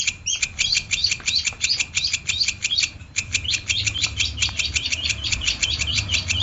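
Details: Long-tailed shrike singing in an energetic style used to train competition birds: quick, repeated sharp notes in a steady stream, briefly halting after three seconds before continuing, over a low hum.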